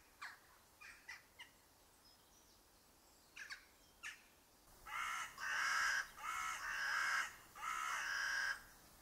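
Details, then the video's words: Carrion crow, a UK garden bird, gives several fainter, clipped calls, then a run of four loud, harsh, rasping caws, each about half a second long. "Carrion Crow"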